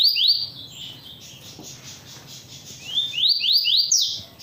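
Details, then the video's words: Double-collared seedeater kept in captivity sings its tui-tui song at length, a high phrase of quick upward-sweeping whistles, a quiet gap, then another string of rising slurred notes. "coleira Tui Tui cantando muito"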